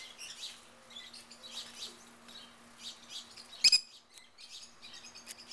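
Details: Rosy-faced lovebirds, wild, calling in a Mesa, Arizona backyard: repeated high, squeaky chirps in quick clusters from a small flock, broken by a loud double click midway.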